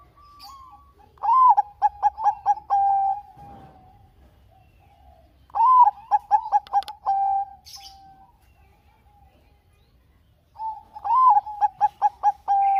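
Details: ['Three full phrases from a Bangkok zebra dove, used as a singing lure to prompt silent doves: each opens with a slurred rising coo, runs through six or seven staccato notes and closes on a drawn-out coo, about every four to five seconds.']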